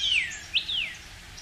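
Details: A male Northern Cardinal sings high in a pine tree first thing in the morning in early spring: two clear, loud whistled notes, each sliding steeply downward, against a faint background hiss.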